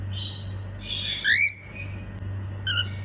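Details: Female pet cockatiel making happy sounds: bright harmonic chirps and a rising whistled sweep, then short clipped notes, over a steady low electrical hum.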